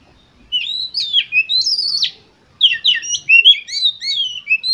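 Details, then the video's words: Oriental magpie-robin singing as a lure for competition birds. Long whistled phrases sweep up and down, then after a short pause comes a fast, tumbling series of varied chirps and whistles. "Pancingan Untuk Kacer Lomba Agar Cepat ON Dan Gacor Konslet Di Gantangan"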